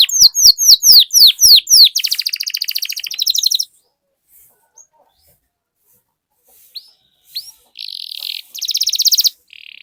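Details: Canary song used as a lure recording to get other canaries singing and rolling: a run of fast, loud downward-swept whistles, then a buzzy trill, a silent pause, and short rising notes with buzzy bursts.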